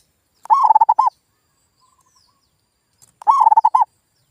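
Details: Zebra dove lure call meant to make silent local birds answer: two matching bursts of fast, stuttering coos, each about 0.7 seconds, about three seconds apart, with a faint softer call between them.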